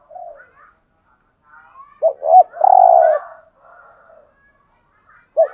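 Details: Spotted dove cooing in the 'giọng hạp' voice, played to stir caged males: a soft note, faint murmurs, one strong phrase of a double note and a long coo, then a new phrase starting.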